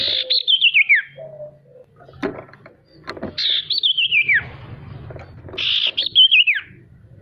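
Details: Three phrases from a male sirtu, played to coax lazy birds into singing. Each opens with a rasping burst and glides down in a long descending whistle, with faint clatter between phrases.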